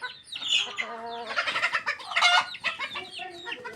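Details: Flock of chickens at feeding time, many birds clucking and squawking at once in a thick, harsh chatter with brief rising and falling cries layered over one another.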